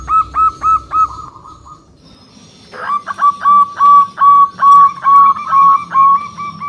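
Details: Zebra dove, local strain, singing loudly as a rival-provoking lure: a few quick coos, a gap, then a steady chain of sustained, slightly upslurred whistled notes about every half second.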